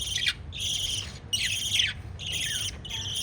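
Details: Pet lovebirds at chick-feeding time utter harsh, buzzy chirp bursts about half a second long, separated by short silent gaps, four bursts in all.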